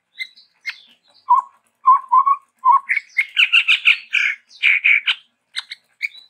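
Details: A chestnut-rumped babbler, tepus tunggir merah, described as endemic to Sumatra, gives soft low whistled notes, then breaks into a fast scratchy chattering run of harsh repeated bursts.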